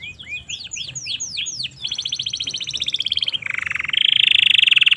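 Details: Indonesian domestic canary song meant for tutoring young birds: opens with a run of sweeping downslurred whistles, then rapid high buzzy trills and a lower rolling trill, phrases changing every second or so.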